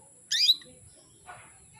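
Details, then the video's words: A female canary gives a single high, scratchy chirp to draw males into breeding mood; a fainter, softer sound follows about a second later. "PANCINGAN KENARI BETINA MEMANGGIL JANTAN"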